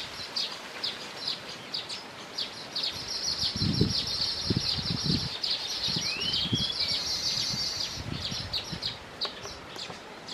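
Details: Baya weaver with chicks: dense, high, buzzy chattering calls repeated rapidly, with one rising whistled sweep, over steady background hiss and occasional low thumps.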